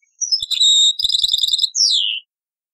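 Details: Taqsrain-style song of a European goldfinch from an old cassette: a thin whistled note, then a buzzy sustained trill, a rapid twittering passage and a falling slurred whistle, with soft clicks.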